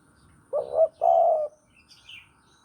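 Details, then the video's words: Spotted dove from Java, recorded as bait for trapping, gives a two-part coo: a quick wavering note and then a longer, flat coo. Soft, high chirps from another small bird follow. "Pancingan Derkuku Jawa || Cocok Buat Masteran Pikat"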